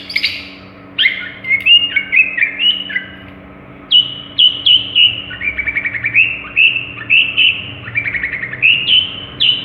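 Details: Long-tailed shrike from Madura that copies other birds' songs, delivering a continuous warbled medley of slurred whistles and stuttering chirps shifting up and down in pitch.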